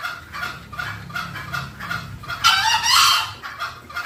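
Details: Green junglefowl call played as a lure to draw wild junglefowl in: a run of raspy, repeated clucking notes, then one louder, harsher burst, with a low hum underneath.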